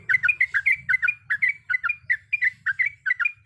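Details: A sooty-headed bulbul, female calling to a male, repeats short gurgling two-note phrases about two to three per second in a steady, bouncy rolling song with soft low rumble underneath.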